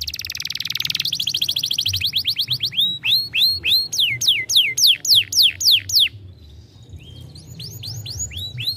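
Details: Stimulating song from a young canary: an intense rolling buzz gives way to loud, evenly spaced downward-sliding notes. The song then drops to softer, scattered phrases and resumes with looping chirps.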